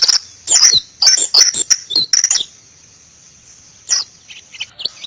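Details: Pleci ngalas, a white-eye of the genus Zosterops, sings quick high twittering bursts of sharp chirps and slurred whistles, then falls quiet before a few softer scattered chirps.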